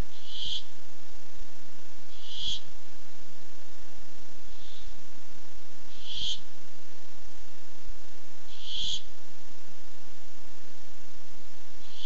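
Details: Barn owl calling while looking for food, nest cam footage from 8-7-15: six hoarse hissing shrieks at about two-second intervals, several quieter, with steady low background noise.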